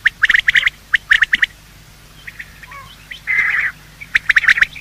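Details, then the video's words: Morning calls of male and female quail, used for hunting quail: quick clusters of high, clipped notes, a quiet pause, one longer buzzy burst, then more rapid notes. "Quail calling sound: master the Art of Quail tripping | Bater Awaz Subha"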